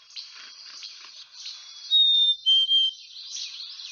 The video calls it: Sounds of a Black-Capped Chickadee